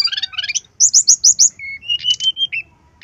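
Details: Brown-chested jungle flycatcher singing in the lively gacor style, used to lure other birds into song. Descending twittered notes, then five loud rhythmic high chirps, then level whistles broken by a short buzz.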